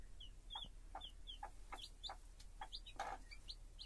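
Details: A mother hen among her chicks: high, falling peeps roughly every half second, and near the end one low, broad cluck from the hen. Soft pecking taps come in between.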